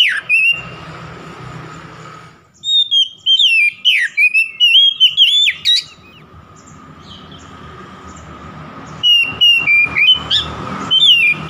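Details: Oriental magpie-robin song meant to stir up a rival: a long run of loud, varied whistles with sharp slides, a quiet gap of about three seconds, then more rapid whistled phrases.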